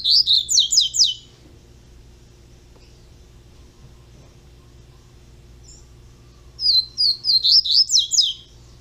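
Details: Young double-collared seedeater singing: a second-long burst of quick, sharp, high chirping notes, a long quiet pause, then another run of about seven rapid, slurred high notes near the end over a faint low hum.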